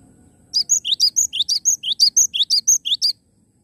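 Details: Cinereous tit singing energetically, a fast string of about thirteen piercing, rising-then-level notes packed into roughly two and a half seconds, then stopping abruptly.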